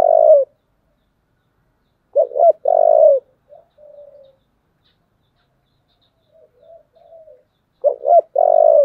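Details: Spotted dove sings its fighting call in 'giọng thổ' style: long coos and two-note rising openings, with quiet wavering murmurs filling gaps between phrases roughly three seconds apart.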